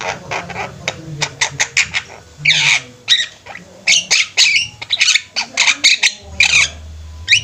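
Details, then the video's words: Lively chatter from a group of Javan mynas: quick dry clicks run into longer grating squawks, uneven bursts spread across several seconds, with a low droning hum at times. "Burung jalak kebo ombyokan juga bisa gacor"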